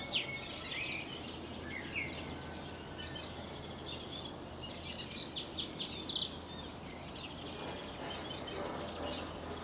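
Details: Syrian serin singing in April 2021 on a church campus in Anjar: a high, jingling run of quick tinkling notes in bursts, over a steady low background hum.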